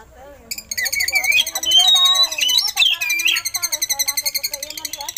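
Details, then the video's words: Oriental magpie-robin with eagle-call imitations, a recording for training other songbirds; a loud run of varied whistles and slurs, ending in a fast, evenly repeated chattering trill. "Suara Burung Kacer Isian Elang"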